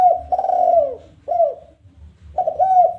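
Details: Spotted dove giving a challenge call meant to lure other doves into calling, in the 'kuk 1' style: low, mellow coos in three phrases, each a hooting note that drops and curls, with a faint low hum beneath.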